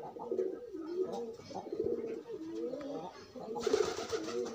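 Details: Loose pigeons pairing, with continuous courtship cooing: pulsing, throaty coo notes repeated rapidly, ending with a hissing rustle of noise.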